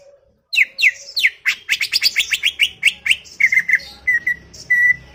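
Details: Greater green leafbird chattering in a dense, fast sequence of sharp downward chirps that blur together, easing into steadier whistled notes toward the end.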